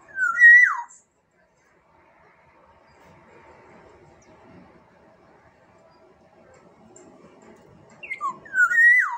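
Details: Black-naped oriole on Sumbawa whistling a mellow, liquid phrase of a few slurred notes at the start. Faint murmuring fills the quiet gap before the same fluty phrase returns near the end.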